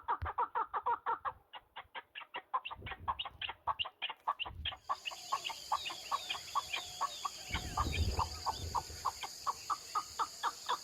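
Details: Partridge chuckling in the mountains, quick repeated harsh notes fading somewhat midway as a steady high insect-like hiss and twittering wild birds join in, with low rumbling near eight seconds.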